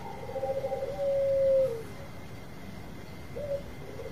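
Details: Bangkok zebra dove long song, used as a lure to set off other birds: quiet fluttering coos lead into one smooth, steady, mid-pitched note that fades downward, then a pause and two short soft coos, with a faint constant whine.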